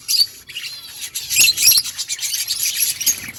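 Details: A group of budgies keeps up continuous high chatter, a mix of quick twitters, squeaky notes and warbles that swell in the second half.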